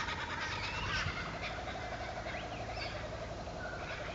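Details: Little friarbird, 6 August 2011, giving harsh, rapid chattering notes in a rolling series, with higher chirps from other birds mixed in.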